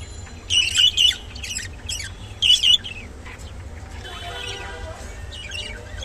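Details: Rainbow-coloured budgerigar giving short, scratchy chattering calls in two quick bursts, then softer warbling chatter, over a steady low hum.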